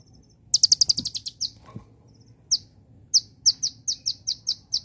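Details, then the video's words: Van Hasselt's sunbird (konin) singing celilin-style as tutor audio for caged birds: a fast high trill, then a long run of separate sharp descending chips spaced roughly a third of a second apart, with faint soft clicks. "Burung (KONIN) Kolibri Ninja Rasa Celilin, Ampuh Untuk Masteran Dan Pancing Bunyi"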